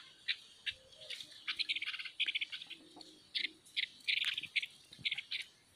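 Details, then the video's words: Female songbird kept by a bird keeper in Vietnam, singing; quick bursts of high chirping, trilled notes in short phrases separated by brief pauses, fairly steady throughout. "Chơi chim cái lươn hót"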